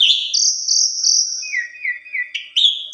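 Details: A rival sets off this Asian pied starling, which sings high sustained whistles followed by a run of lower, repeated slurred notes and a final sharp rising whistle.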